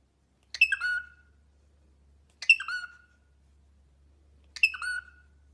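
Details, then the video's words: Caged pet cockatiel giving three separate harsh, buzzy calls with a falling tail, spaced about two seconds apart, in otherwise quiet surroundings with a faint low hum. "cockatiel bird singing and talking"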